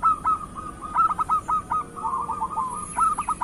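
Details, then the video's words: Local zebra dove, known as perkutut, singing as a lure for lazy doves and for moulting birds: mid-pitched cooing notes, broken into quick stuttering beats and short rolled phrases, with a steady high hiss behind. "Pancingan Perkutut Lokal Gacor"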